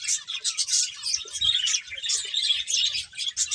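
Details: Finches chirping while eating: a short, dense spell of high, quick tweets in rhythmic bursts, with soft low knocks beneath.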